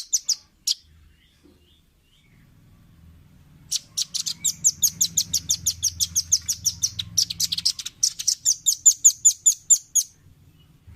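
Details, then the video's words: Velvet-fronted nuthatch on a clean tutor recording for caged birds to copy: a few isolated high chips, a pause, then a long rapid series of around thirty sharp, ringing notes delivered steadily. "Masteran Ampuh burung rambatan paruh merah/masteran audio rambatan jernih mudah di tiru"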